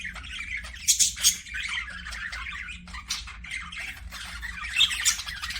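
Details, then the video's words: Several aviary budgerigars give rapid irregular chirps and squawks, a few loud sharp peaks near one and five seconds amid ongoing soft chatter, over a faint hum. "PARAKEET NOISES"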